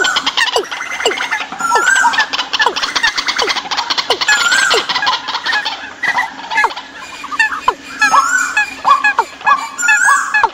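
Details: Decoy bird calls for migration season. A thick, noisy mass of rapid chattering from many birds, dotted with quick falling whistles and clearer slurred notes toward the end.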